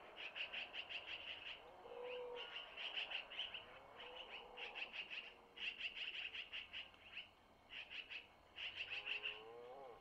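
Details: Long-eared owl owlets at a nest near Missoula, begging while the mother takes food from the male and feeds them; bursts of rapid, raspy high pulses repeat in clusters, with softer low tonal whines underneath.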